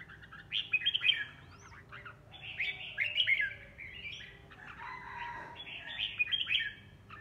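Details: Red-whiskered bulbul, a caged home bird, singing as it spars with other birds. Lively warbling phrases with quick upslurred whistles run almost continuously, broken by short pauses, above a quiet low background hum.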